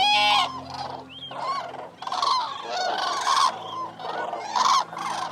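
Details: Common cranes (Grus grus), more than one bird, give loud, rolling trumpeted calls, harsh and rich, in overlapping bursts about every second.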